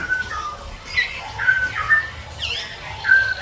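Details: Javan bush lark in strong breeding condition, singing a loud, varied run of clear whistled notes, some flat and some sliding up or down, with short buzzy sweeps, delivered in quick bursts separated by brief pauses.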